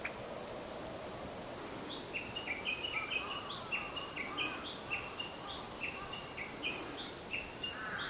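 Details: Japanese bush warbler on 22 April 2020, between Zenshoji and Shofukuji temples, giving a long run of quick, clipped notes repeated about twice a second against constant broadband noise.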